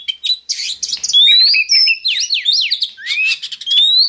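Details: Oriental magpie-robin song used as a lure to raise breeding drive in captive birds: rapid, varied high phrases mixing bright rising whistles, sharp downslurred notes and buzzy chirps, delivered almost without pause.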